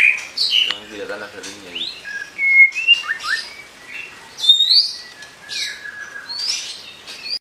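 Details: White-rumped shama giving sparse, high, sweet whistles and quick upslurred notes separated by short gaps, with a brief low wavering sound near the start.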